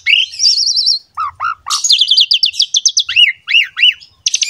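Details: Asian pied starling singing in a lively varied style for tutoring young birds: a wavering whistled trill, low rising notes, a fast rattle of high chips, then repeated looping rising-falling whistles.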